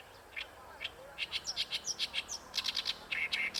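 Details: Rapid, scratchy syllables from an Oriental reed warbler at Ikeshima, alternating lower grating notes with brief higher squeaks in quick succession.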